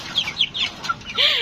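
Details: Hungry chickens kept on a balcony, clucking as they are about to be fed rice: a few short, nasal clucks and squeaky notes, then a louder drawn-out squawk.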